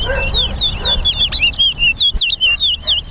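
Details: Towa towa in a singing contest at a Guyana bird ground, Lamaha and Vlissengen Road. Clear, sweet whistles rise and fall in quick swooping notes, about two per second, over crowd murmur and low hum.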